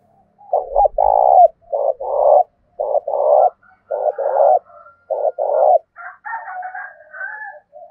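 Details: Spotted dove in the 'giọng thổ' voice style, giving fight-urging coos meant to provoke wild doves and decoy birds. Low, hoarse cooing phrases come in quick succession, each of short notes and a longer held one. Fainter, higher bird notes close the clip.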